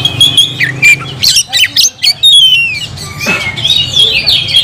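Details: Vigorous kacer song, the oriental magpie-robin mixing high whistles, a long downward slur and clipped harsh notes, then a busy warbled passage, a low hum running underneath.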